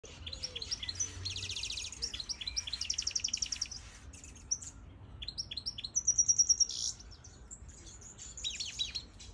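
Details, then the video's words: European goldfinch of the major (Siberian) form, kept in an aviary, singing high, rapid tinkling twitters broken by buzzy trills and a held thin whistle near the middle. Bursts come in separate phrases with short pauses; the background is quiet. "Goldfinch Song"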